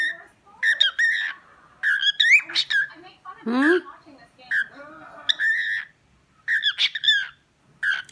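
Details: Pet cockatiel giving short harmonic chirps and squawky whistles in bursts, with a woman speaking softly to it between calls.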